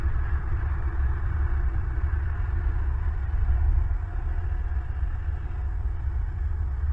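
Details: Constant low engine-like rumble and hum at night, 1 January 2023, with no animal sounds.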